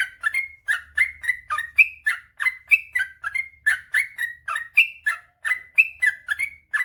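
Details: Energetic gacor ropel panjang song of a sooty-headed bulbul, a master recording for birds reluctant to sing: an unbroken stream of liquid, rolling whistled notes at about three or four per second, very clean background.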